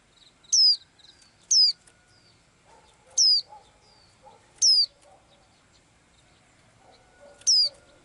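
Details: Small bird with blue eyes in its daily song, giving five bright, high, falling whistles, the first two close together, then spaced more widely, over soft low murmuring sounds.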